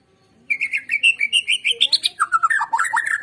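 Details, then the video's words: A white-rumped shama sings in a recording meant to spur other birds to song. About a dozen fast whistled notes climb in pitch, then the song turns into rapid, rolling, slurred chatter. "PANCINGAN Murai Batu Agar BUNYI GACOR"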